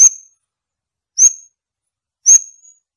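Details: Scarlet-backed flowerpecker giving three sharp, very high thin notes about a second apart, each a quick stab trailing into a short falling whistle, on a silent background.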